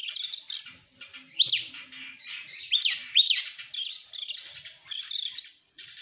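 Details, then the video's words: Oriental magpie-robin, excited with tail opened, in varied song: high sustained whistles mixed with arched, swooping notes and scratchy rattles, delivered in irregular bursts roughly every second. "sekali dengar langsung EMOSI NGOBRA GACOR BUKA EKOR, burung kacer nembak,Kacer gacor"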